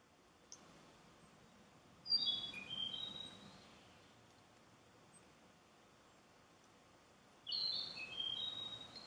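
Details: A Narcissus flycatcher, a summer visitor heard but not seen in Miho Citizens' Forest, Japan, sings two short, clear whistled phrases of bright high notes about five seconds apart over a quiet background hiss.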